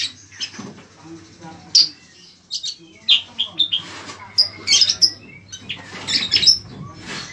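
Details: Bayeman (cicak kurincang) singing in an irregular burst: scattered high chirps, squeaks and short trills with pauses between them, over a low steady hum.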